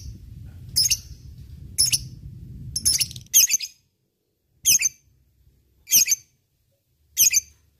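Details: Lovebird used as an ngekek training lure, uttering harsh squeaky high chirps about once a second, some in quick pairs, first over a low rumbling background and then in quiet.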